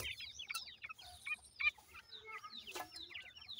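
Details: Grey francolin chicks feeding and playing: soft, high, downslurred peeping chirps scattered quickly through the clip, with several chicks overlapping and faint low background rumble.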